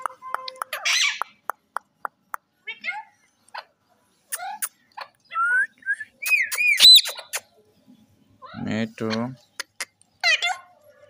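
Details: Pet Alexandrine parakeet and rose-ringed parakeet talking together indoors: sharp whistles, clicks and harmonic squawks, plus a burst of speech-like mimicry, in a quiet room with pauses between sounds.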